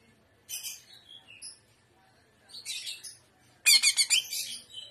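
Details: Trotolan song, 'gaya udang' style, from a greater green leafbird: two medium bursts of high twittering notes, then a loud run of rapid, strongly pulsed shrill chatter with faint low background hum.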